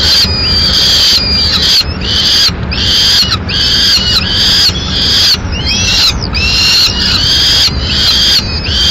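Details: Madrid peregrine falcons: the male feeds the chicks a swift, and loud, high squealing calls come in regular bursts, about eighty a minute, separated by short silent gaps.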